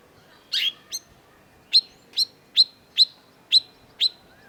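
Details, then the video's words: Cendet, the long-tailed shrike, singing to prompt silent birds: after a rough opening note comes a steady run of crisp, high downslurred chips, about two or three each second. "cendet gacor LANGSUNG GACOR !! PANCINGAN CENDET MACET || Long-tailed Shrike"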